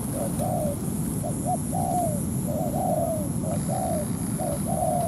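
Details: Spotted dove acting as a ground decoy to lure a wild dove into a fight over territory; irregular bursts of soft coos, short paired notes alternating with longer slurred ones, against low rumble and a steady high tone.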